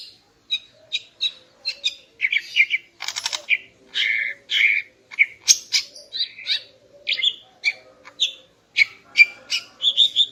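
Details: Morning song of a female greater green leafbird, meant to stir a male into breeding condition: a long, varied string of short sharp chirps and twittering notes with a brief raspy burst, delivered in quick irregular succession.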